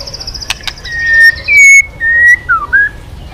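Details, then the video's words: Stirred into song while beating its tail, a white-rumped shama gives clear, drawn-out whistles, level then falling and rising, after a few sharp clicks and a faint high thin tone. "Chòe Lửa kéo dây yến đảo giọng đập đuôi liên tục. kích Chòe Lửa hót căng"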